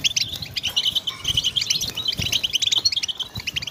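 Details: Chorus of European goldfinches, used to motivate goldfinches to sing: rapid, high, jangling chirps overlap steadily, with faint low background rumble.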